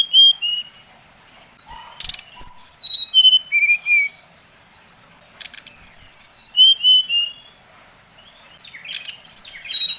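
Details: Whistled phrases from a Bali-type brown-chested jungle flycatcher, a provoking lure for rivals. Each phrase drops through a ladder of pure notes from high to mid pitch and repeats about every three to four seconds.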